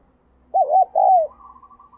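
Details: Decoy spotted dove calling to lure wild doves: two low, mellow coo notes, the first wavering and the second longer and falling, followed by a faint thin sustained tone in a quiet setting.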